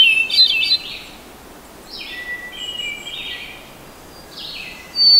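Hermit thrush singing flute-like phrases, each opening on a clear held whistle and spilling into a fluty ripple, a new phrase every two seconds or so at varied pitch.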